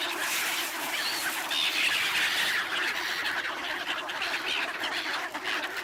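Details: Crowd of black-headed gulls being fed bread at a swan site in Ibaraki Prefecture, Japan, 28 December 2017. Loud, harsh, overlapping cries swell in the first half, then thin toward a quieter, patchier chatter.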